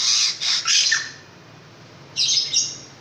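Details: Caged long-tailed shrike producing loud rasping squawks, a quick series of harsh notes followed by a pause and another scratchy double burst, recorded indoors with a low background hum.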